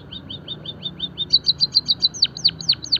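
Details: Java sparrow singing, used as training and stimulation song for finches: quick soft ticking notes give way to louder, bright chirps and then steeply falling sweeps, delivered in a rapid even rhythm.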